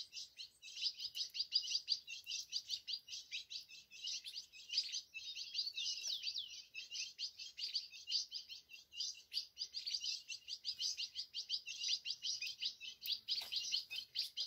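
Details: Caged ultramarine grosbeak singing on the side of its cage: a long, continuous run of rapid, scratchy warbled notes at high pitch, varying in loudness, with a quiet background.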